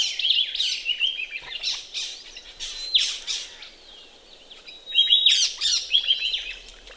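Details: Ring-necked parrots bathing in a pond in Australia on a chilly sunny morning in winter or spring; bursts of high, ringing chirps and whistles in loose clusters, with quieter gaps between them.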